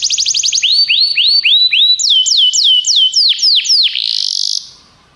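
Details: Canary song meant to get a pet canary singing: a fast trill of high repeated notes, then phrases of upward-curving whistled syllables, then sharp downward sweeps, ending in a brief buzzy rattle before quiet.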